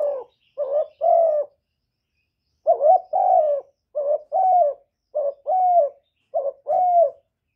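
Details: Spotted dove kept as a caged decoy bird, cooing to attract wild doves in a clean, noise-free recording. Low hollow coo phrases come in short-then-long pairs, repeated in loose bursts with a brief pause midway.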